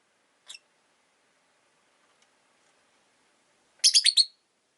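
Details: A Rosy-faced lovebird gives a faint short chirp, then after a quiet stretch a fast series of about five loud, scratchy high chirps.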